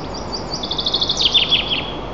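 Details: White-tailed eagles at their nest 35 m up in Nizhnyaya Kama National Park, Russia, on 2 May 2024 at 11:25; a rapid run of sharp, high yelping notes rises and quickens, over steady background hiss.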